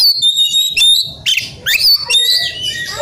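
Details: Excited Oriental magpie-robin calling for a rival: high, thin whistled strands with buzzy overtones, broken by loud swooping slurs and quick chattering bursts.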